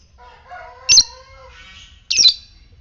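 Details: Fighter-type lovebird, ngetik style, meant to stir other lovebirds to ngekek; two piercing squawks a little over a second apart, over faint, steady whistled tones in the background.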